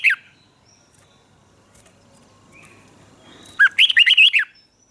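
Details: Thai Red-whiskered bulbul singing in southern master style, used to teach young caged birds: a brief whistled note at the start, a quiet stretch, then a lively phrase of about seven rising and falling whistles.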